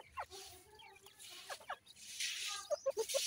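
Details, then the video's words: Grey francolin chicks being fed give scattered thin peeps, then a run of four short, evenly spaced chirps near the end, over a steady hiss and low hum. "grey francolin chicks nice voice"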